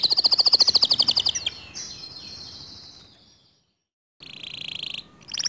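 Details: Canary song said to spur other canaries to sing. A loud, fast rolling trill fades into drawn-out sweeps and then silence, followed by a short buzzy trill.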